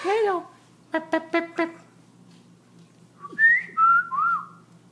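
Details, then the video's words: Black-throated laughingthrush at 11pm in continuous night song: a harsh falling note, four quick rasping knocks, a pause, then three clear whistled notes, the middle one rising and the last sliding down. "Black throat laughing thrush night song almost 10 min strai"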